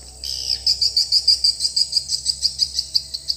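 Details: Swiftlet lure call replayed in a swiftlet house: a fast train of short, high chirping pulses, about three per second, steady and evenly spaced after a brief start.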